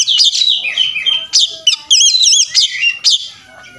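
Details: Oriental magpie-robin singing in aggressive fighting display, packed with imitated phrases: sharp upswept chips and a run of fast, wavering, warbled notes, loud and quick, then fading toward the end.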